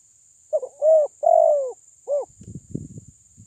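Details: Spotted dove with a loud voice, used as a lure to provoke rival birds: a short run of low, hollow coos, with two long drawn-out notes in the middle, followed by soft rustling thuds and a faint steady high whine.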